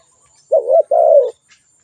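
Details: Single spotted dove coo phrase: a short wavering low note followed by a longer, smooth, slowly falling coo, then quiet.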